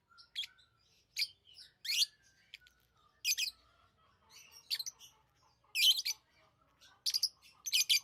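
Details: Tame pet lovebirds chirping in a steady run of shrill, high, scratchy chirps coming in irregular bursts every half second or so, with a faint lower tone running underneath.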